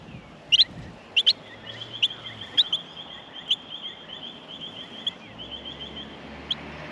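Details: Australian miner nestlings in the nest at feeding time give sharp high chips in small clusters over a thin, steady high whine, with quieter gaps between bursts.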